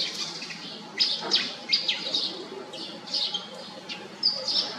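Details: Pied fantail calls: a loose series of sharp, high chirps and thin whistled notes, some with quick downward flicks, spaced irregularly over a faint outdoor hiss.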